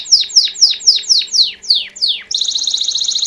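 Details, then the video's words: Belgian canary song: a series of eight loud descending whistled swoops about four per second, then a sudden switch to a rapid bright rolling trill; quiet background hum. "Canário Belga MESTRE do CANTO CAMPAINHA PURO"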